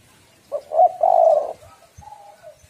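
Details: Female spotted dove calling to lure and stimulate males: a short low coo, then a longer mellow rolling coo, and after a brief pause a fainter, softer coo against quiet surroundings.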